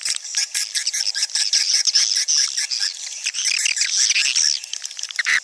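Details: Swiftlets chatter in a steady, high, buzzy twitter with quick overlapping chirps and no pauses.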